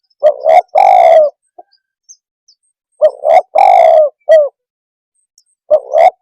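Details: Tekukur (spotted dove) giving its provoking call: a paired short coo followed by a long rolling coo and a brief falling note, the whole phrase repeated roughly every three seconds.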